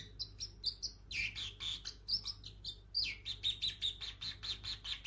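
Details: Young pet parrotlet, seven months old and just starting to talk, giving sharp, high chirps: scattered at first, then a fast regular run of about four clipped tweets per second over the final two seconds.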